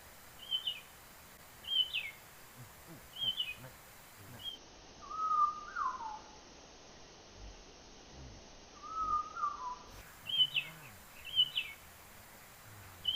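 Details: Hill prinia from Sumatra, recorded in the wild during net trapping: short high whistled phrases with sharp up-and-down inflections, alternating with lower drawn-out descending whistles, repeated every second or so over rustling ground noise.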